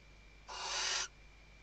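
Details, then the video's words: A single drawn-out, harsh hiss lasting about half a second from a female Western barn owl calling the male while stuffing her nest, recorded by webcam at Riet Vell, Ebro Delta, Spain, 2023. "Atusando el nido y llamando al macho · Stuffing the nest and calling the male"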